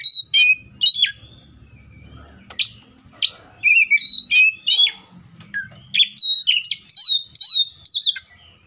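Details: Free-living Oriental magpie-robin delivering a lively, varied song of quick whistles, slurred up-and-down notes and brief harsh chips, with almost no pauses and a faint low hum underneath.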